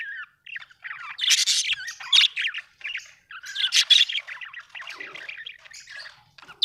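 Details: Budgerigar chirping: a varied, chattering warble of quick squeaky notes, short rising whistles and harsh squawks in uneven bursts separated by brief pauses.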